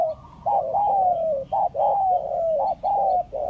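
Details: Spotted dove, one of two types named in a lure recording, calling with repeated low hollow coos, each phrase a short note followed by a longer slightly falling coo, about one phrase per second, with faint background hiss.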